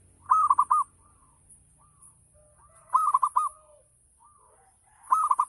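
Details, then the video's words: Perkutut, a local zebra dove, giving its lure song to draw responses from other doves: rolling, bubbly coo phrases about every two and a half seconds, with softer whistled notes from another bird in the gaps. "Gacor Perkutut Lokal || Pancingan Full Ngayer Perangsang Nyaut Bunyi"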